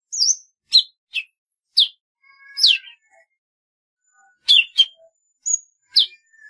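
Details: Golden-fronted leafbird song mixing high whistled slurs, sharp falling chips and a level drawn-out tone, delivered about every half second in bursts with short gaps.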